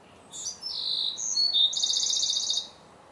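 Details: A wren singing while wrens communicate: a shrill, energetic phrase of clear notes that changes pitch several times, then a fast, buzzing trill near its end.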